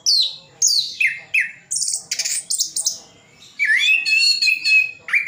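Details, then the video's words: Orange-headed thrush kept in a cage in Sidoarjo, East Java, delivering a mimicry-filled song: descending whistled slurs repeated twice, then a buzzy burst, then a long level whistle with rapid trills, separated by short gaps. "Anis Kembang isian full"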